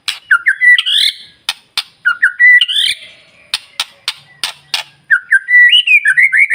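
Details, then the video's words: White-rumped shama in its morning lure song for provoking other shamas to sing: short bright whistles mixed with sharp clicking snaps, several abrupt notes separated by brief gaps. "Pancingan Murai Batu Paling Ampuh Bikin Burung Lain Meledak Bunyi"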